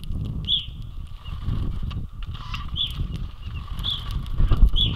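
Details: Male and female pine grosbeaks eating sunflower seeds at a feeder in Ontario on a sunny afternoon, February 24, 2022, give short, clear high whistled notes spaced one to two seconds apart over a steady low rumble.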